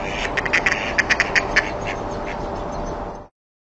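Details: Male Mallard nocturnal flight calls, a long call and a call sequence: a quick run of about ten short, raspy, nasal notes in under two seconds, over a steady background hiss.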